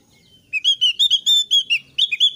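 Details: Thick-billed white-eye singing loudly and fluently, a song used to prompt newly kept birds to start singing: a rapid run of bright, high whistled notes with short chattering slurs, about twelve notes in two seconds.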